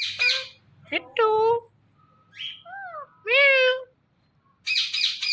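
A rose-ringed parakeet gives short, harmonic-rich speech-like phrases and a few harsh screeches, with gliding tones like imitated words; faint background hum.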